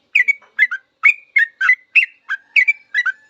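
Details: Long 'ropel' song of a yellow-vented bulbul for cage-bird tutoring: paired chirps with drawn-out whistled tails, about eight phrases in three seconds, lively and clear.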